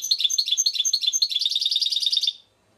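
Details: A European goldfinch from Šuto Orizari pours out a quick, rhythmic chain of bright, sweet chirps and trills for over two seconds before stopping abruptly.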